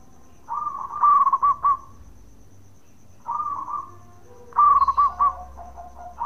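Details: Zebra dove, local bird, calling in bekur style to provoke replies: rapid pulsed coo phrases broken by longer pauses, one softer short phrase in the middle and a loud final burst trailing into quiet cooing.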